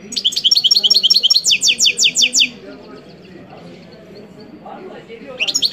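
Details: A European goldfinch sings a quick string of high, sharp, paired twitter notes that shift to a slightly different repeated note partway through. After about two and a half seconds it falls quiet over a low murmuring background, then briefly resumes.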